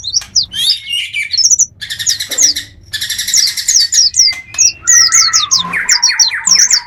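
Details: Lure for wild birds: bursts of fast, sharp chirps alternate with dense buzzy trills, separated by brief pauses. Sweeping whistles follow in the second half.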